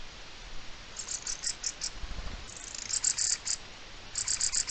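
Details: A mistle thrush gives dry, grating alarm rattles in quick bursts of several clicks each, high and harsh, with a soft background hiss; recorded 4 May 2023 in Spain.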